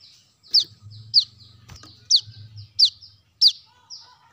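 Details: Brown-throated sunbird giving a lure call: five piercing, high chips, each sliding steeply downward, spaced roughly every half second over a soft low rumble.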